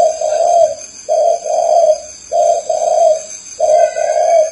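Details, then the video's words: Four loud, clear phrases from a spotted dove. Each is a soft, hollow low coo followed closely by a longer second note, with roughly one second between phrases. A thin high hum runs in the background. "THAO CHIM CU GÁY"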